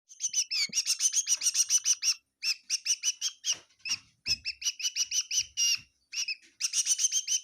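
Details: Bird indoors in a kitchen at Tseminyu, Kohima, giving rapid repeated sharp chirps in bursts of about three per second, broken by short pauses.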